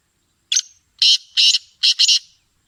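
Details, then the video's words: Black francolin singing: a short sharp note, then two grating harsh notes and a quick closing pair, rasping and loud, the whole phrase lasting under two seconds. "Black partridge Singing | Black Francolin Voice"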